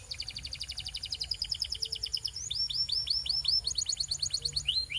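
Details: Canary training song, meant to coach quiet canaries into singing: rapid high chirping trills of evenly repeated notes, then a run of swooping down-slurred whistles repeated about three times a second, over a faint low background rumble.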